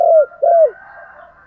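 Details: Caged decoy spotted dove cooing to stimulate wild doves: two loud, low, falling coos in quick succession, followed by a fading echo.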